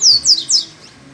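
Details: Double-collared seedeater that sings upside down: three loud, high, sharp notes, each sweeping downward, in quick succession, then quiet.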